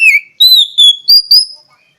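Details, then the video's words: Kacer (oriental magpie-robin) singing a quick series of five pure whistles, the first falling, the rest held fairly level and climbing slightly in pitch. "SUARA BURUNG KACER"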